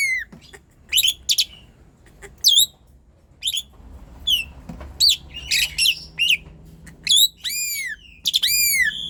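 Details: Energetic song of an Asian pied starling, used to prompt lazy starlings to sing: varied sequence of short whistled notes, harsh scratchy chatters and rich arching whistles, growing denser and louder toward the end, with faint low hum.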